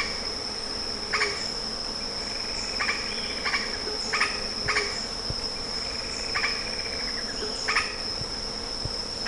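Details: Lettered aracari uttering a series of short harsh notes, about seven bursts at irregular intervals, some followed by softer rising tones, all beneath a continuous high insect drone.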